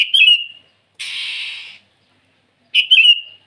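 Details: Sooty-headed bulbul singing at dawn to call rivals: a clear whistled phrase that slides down into a long trailing note, a short burst of hissing noise, then the phrase again.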